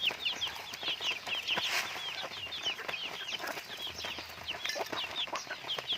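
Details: Chickens kept as pets fill the air with dense, high, chirping peeps. Calls overlap constantly, mixed with soft rustling and a brief flutter of movement.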